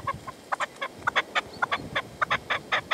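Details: Partridge calling at sunset in the sierra near Manzanares on 27 February 2014, a decoy set out for a male that would not come in; a rapid series of harsh, chuckling notes repeated about twice per second, uneven in spacing.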